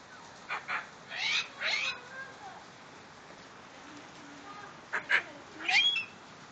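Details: A pet female medium Sulphur-crested Cockatoo, happy after seeing rain, gives a few short harsh squawks and screechy calls in two bursts separated by a quiet pause, with faint background hiss.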